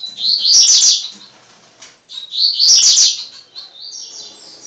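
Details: Tiziu, the blue-black grassquit, courting a female with its 'tui tui' song: two loud, high, buzzy wheezing phrases about two seconds apart, followed by a fainter, thin trailing note.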